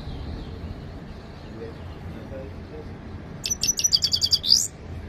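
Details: Several seconds of low background hum, then a Himalayan goldfinch bursts into a fast series of high ticking notes that closes with a rising buzzy slur.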